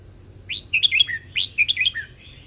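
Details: Red-whiskered bulbul song in the "เบิ้ลริก" style: a lively whistled phrase of rising and falling notes, then a near-identical phrase about a second later. A faint constant high-pitched hiss sits in the background.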